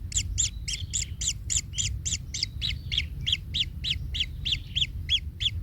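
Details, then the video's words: Pained kingfisher nestling trampled by its parent repeats loud, sharp, arching chirps roughly three per second, steady throughout, over a low constant rumble. "Anak Tengkek Terinjak Induknya Hingga Kesakitan - Baby Kingfisher bird nest"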